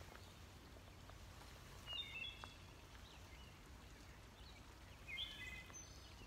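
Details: Wood thrush singing during spring migration on a morning in Highland Park, Pittsburgh, where it breeds: two faint, flute-like phrases about three seconds apart, each ending in a brief trill, over a steady low rumble.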